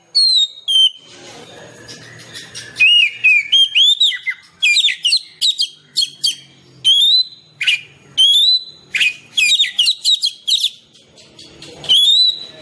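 Oriental magpie-robin song: loud, varied whistled phrases with sweet rising and falling notes, delivered in bursts about every second over a faint background hum.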